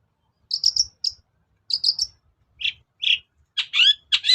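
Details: Cendet lure song, played to coax a reluctant shrike into song: clusters of quick high chips, then lower rough notes, ending in loud scratchy phrases with slurred whistles.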